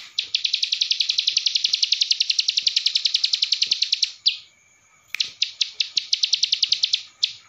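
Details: Training song of a ciblek sawah in Cililin style: a fast, rattling trill of high ticking notes for four seconds, a short break after a loud click, then another rapid chipping run.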